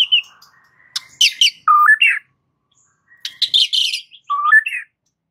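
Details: White-rumped shama song used to provoke rival males into singing: loud, varied phrases of sharp clicks, rich whistled slurs and descending notes in two bursts separated by a pause, clean with no other sounds.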